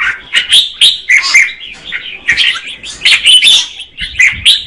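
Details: Female red-whiskered bulbul singing to stimulate the male: rich, warbling phrases of short slurred notes, rising and falling, in quick bursts about every half second with brief gaps.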